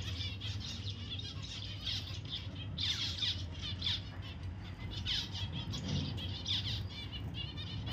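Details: Pet zebra finch giving bright, clipped squeaky notes in irregular groups with brief pauses between bursts, against a continuous low-pitched hum.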